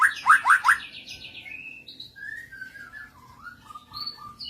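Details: Shama answering another bird as a lure recording plays: three loud downslurred whistles in quick succession, followed by softer wandering whistled notes at varied pitches.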